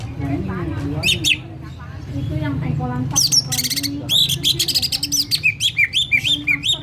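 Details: Champion greater green leafbird from Karawaci in full 'ngetrok' song at great volume; varied whistles and bursts give way to rapidly repeated, looping high chirps, about three per second, over a low steady hum.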